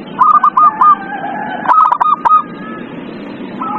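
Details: Zebra dove song offered as a lure to get a quiet dove singing: two stuttering bursts of clipped, mellow cooing notes, quick and slightly uneven, a softer lower coo trailing after, over a steady background hiss.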